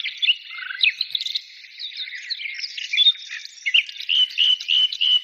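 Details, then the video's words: High, twittering birdsong of overlapping chirps and slurred whistles, ending in a series of louder, evenly spaced rising notes. "birds singing"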